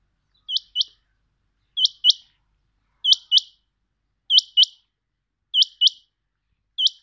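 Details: A pet rain quail gives sharp, high, metallic paired notes, 'whit-whit', repeated about every second and a quarter against a quiet background.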